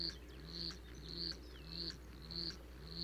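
A Black-chinned hummingbird gives short, high chips about every half second, over low, soft cooing tones and a steady background hum.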